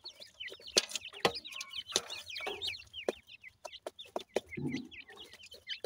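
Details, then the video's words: Captive Pakistani Dakhni teetar chicks at feeding: rapid bursts of thin, high chirps that swoop down and up, overlapping from several birds, broken by loud clicking taps and a brief low rustle. "pakistani dakhni teetar chicks feeding"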